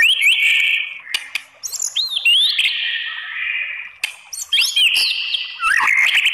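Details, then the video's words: White-rumped shama (murai batu) song meant to goad other shamas into replying: clear whistled notes, some sharply rising, held and slurred phrases separated by brief pauses, with a few click-like sounds. "SPONTAN EMOSI !!! MURAI BATU APAPUN Jadi NYAUT NGELAWAN dan BONGKAR ISIAN ¦ PANCINGAN MURAI"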